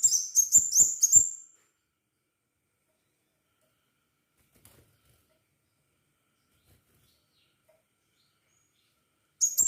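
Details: Crimson sunbird giving lively song to lure others into singing: four rapid, shrill high chirps in little more than a second, followed by long silence and one more note starting at the very end.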